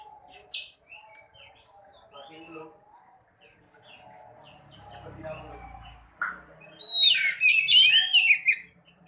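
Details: White-breasted woodswallow (sekoci) voice, played so lazy birds start singing. Soft chirps and murmuring come first, then a dense run of loud, scratchy, warbling chatter with sliding notes.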